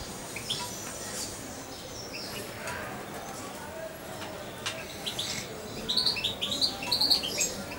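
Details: Hand-raised European goldfinch, almost two months old, stays quiet at first, then gives a quick run of high twittering chirps near the end over soft room noise.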